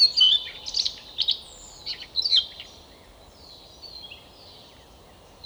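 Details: Siberian rubythroat song from the Novosibirsk area of Siberia, Russia: bright high chirping notes in quick clusters during the first three seconds, then fainter thin whistles trailing off over quiet background noise.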